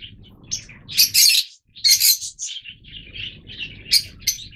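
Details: Yellow-mutation Fischer's lovebirds give shrill, harsh chirps and two loud screechy bursts, with softer high twittering between them over a faint low background rumble.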